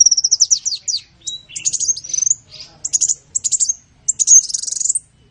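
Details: Training song of a sunbird: a quick run of downslurred notes, then choppy bursts of high twittering and short buzzy trills with small gaps between.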